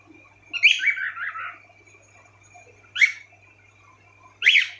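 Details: Several pet cockatiels kept indoors making sweet sounds. A burst of rapid warbled chattering notes, then two single sharp screechy chirps, over a faint steady hum.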